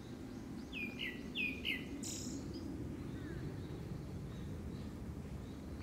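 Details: Grey-backed thrush singing a courtship song tied by season to a second breeding, giving three short descending whistles near the start and a brief buzzy note, then quiet, over steady low rumbling background noise.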